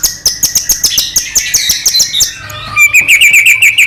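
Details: Medan-type white-rumped shama singing gacor 'full isian' to spur another shama to sing. A rapid series of high clicking notes gives way to a quick chattering trill of bright repeated notes.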